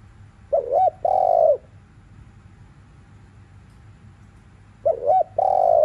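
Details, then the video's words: Spotted dove calling in the afternoon in thúc liu riu style: two phrases several seconds apart, each a quick twisting double note followed by a long, even, mellow coo, against a faint steady hum. "CU GÁY THÚC LIU RIU KÍCH BỔI BUỔI CHIỀU"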